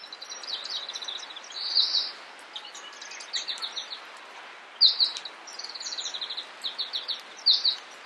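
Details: Meadow bunting of the subspecies ciopsis, recorded in Takayama, Japan, in April 2014: short, high, jingling phrases of quick chirps and twittered notes, with brighter accented notes recurring every few seconds over a faint background hiss.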